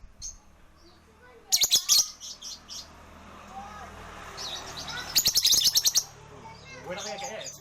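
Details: Green pastel pet lovebird keeps up its ngekek chattering: rapid harsh high-pitched trills in two bursts of about half to one second, with softer chirps and a faint voice between.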